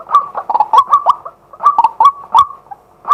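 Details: A male white-breasted waterhen gives decoy calls during the day, recorded live. Quick bursts of hoarse, nasal croaks are separated by brief gaps, with a soft click after one burst.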